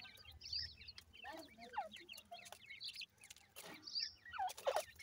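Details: Grey francolin chicks calling their mother: a busy stream of short, high, rising peeps from several young birds, with sharp clicks and rustling thumps mixed in.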